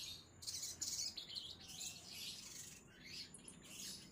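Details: Sogon songbird singing dense, high-pitched twittering with quick chirps and short buzzy bursts, sounding continuous and busy throughout, with a faint steady hiss in the background.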